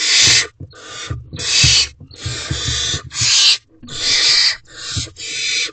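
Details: Four barn owl owlets in a nest box before dawn give long, rasping, noisy hisses, some nearly a second long, overlapping and swelling and fading, with little silence between them.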